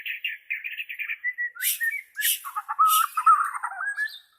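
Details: Bornean White-rumped shama for training captive birds: a quick stuttering trill of whistled notes, harsh broadband rasps, then a lower warbling whistled phrase.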